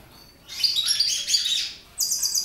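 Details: Mutation goldfinches in a brief burst of sharp, tinkling twitters after a quiet start, then a thin, very high, rapidly repeated trill at the end.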